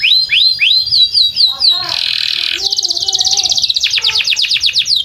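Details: Field-side canary song aimed at teaching young canaries: hooked rising notes, a harsh buzzy burst, then a long rolling trill of rapid pulses. Weaker lower warbling notes sound beneath.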